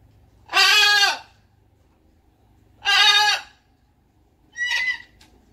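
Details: Pet blue-and-gold macaw outdoors on a morning with a red-tailed black cockatoo nearby, giving two long, raucous, grating squawks about two seconds apart, followed by a shorter, higher call.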